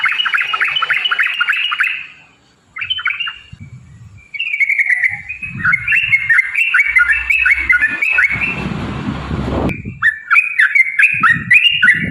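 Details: Yellow-vented bulbul giving a long rolling fighting song meant to provoke other bulbuls into singing: fast chattering, gurgling whistled phrases strung together almost continuously, with a brief pause and a burst of broadband noise midway.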